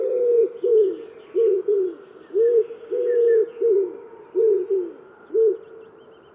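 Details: Repeated deep cooing phrases of a Common wood pigeon, five low hollow syllables with the first emphasized, sung continuously without pauses; faint distant bird chirps in the background.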